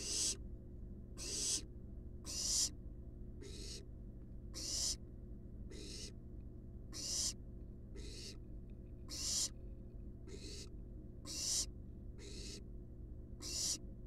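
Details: Wild barn owl nestlings resting in their nest box keep up a rhythmic series of about fourteen short raspy hisses, roughly one each second, over a low constant hum.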